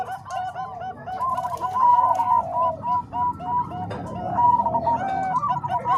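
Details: Zebra dove voices of Bangkok and Cemani Kolbuntet strains, merged as training audio for doves. Soft cooing builds into rhythmic, bubbling strings of notes from overlapping birds, growing steadily louder.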